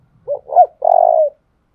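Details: Dong Nai, Vietnam spotted dove cooing to stir up decoy birds: two short rising-falling hoots followed by a longer, slightly tremulous drawn-out coo, low and mellow, on a silent background.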